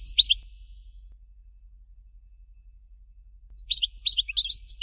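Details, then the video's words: European goldfinch, Dalya song, "Fort de L'eau": a brief twitter, a long silence, then a fresh burst of quick, high, tinkling notes. "Chant Chardonneret Dalya"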